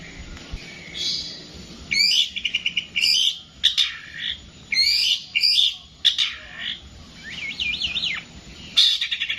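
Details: Long-tailed shrike song of harsh scratchy bursts, rapid stuttering notes and a wavering, warbled whistle, loud and close with brief gaps.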